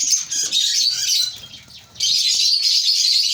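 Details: African lovebirds in a breeding colony: dense, shrill, high chirping and squawking that overlaps continuously, briefly dropping in loudness near the middle before a full chorus resumes.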